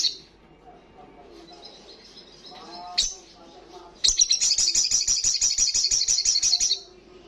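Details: Olive-backed sunbird in loud ngalas song: soft scratchy twitters, a sharp high note, then a strong rapid trill of evenly pulsed high buzzy notes lasting nearly three seconds.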